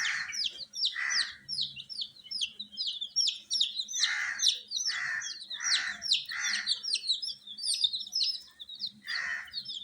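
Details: Coloured domestic chicks under heat give a busy chorus of high falling peeps, overlaid about every second by loud, harsh, broadband bursts.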